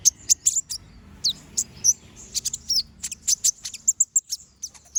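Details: Brown-throated sunbird song in chattering style with sharp shots, a training recording for other birds: bursts of high thin chirps and downslurred notes, ending in a rapid string of bright ticks, soft hum behind.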